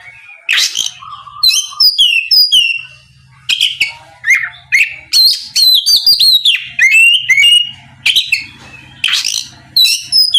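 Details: Singing oriental magpie-robin meant to goad a rival bird into replying, delivering loud varied whistled phrases and harsh chips in quick bursts, with a faint low electrical hum in the background.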